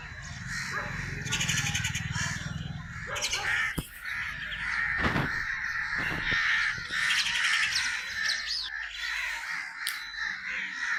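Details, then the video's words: Crow cawing steadily over several seconds in a long, raspy series of calls, with sharp knocks and high bird chirps in the background. "Crow's Crowing Sound"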